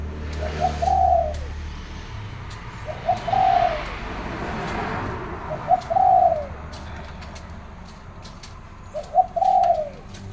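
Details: Morning cooing from a zebra dove, four quieter rolling coo phrases spaced roughly every three seconds over a hissy background with low rumble and a man speaking.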